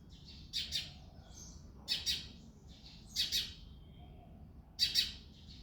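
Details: Male house sparrow singing and chirping in the early morning in February: four bright bursts of clustered chirps, roughly one every 1.3 seconds, separated by quiet gaps over a faint low rumble.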